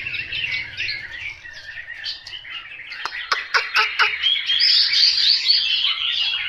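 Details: Chinese hwamei singing varied warbling phrases, interrupted by a few sharp clicking notes, then building into a loud, high, sustained whistled passage.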